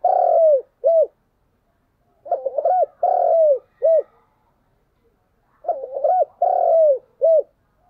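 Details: A decoy spotted dove calls in the morning, giving a long falling coo and a clipped final note, then a stuttering lead-in, long coo and short coo, the phrase repeating roughly every three seconds.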